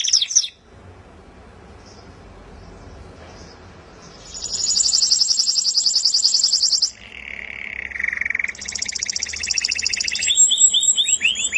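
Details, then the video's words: Melodious canary song: after a quiet opening, a loud high buzzing trill runs for about three seconds, then a lower rolling trill and fast rising chirp tours follow. "suara burung kenari merdu"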